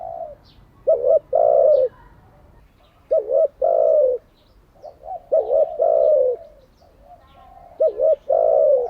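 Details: Spotted dove kept as a decoy, its daily cooing used for training birds: paired wavering notes followed by a long sliding coo, repeated every two to three seconds with soft background chirps.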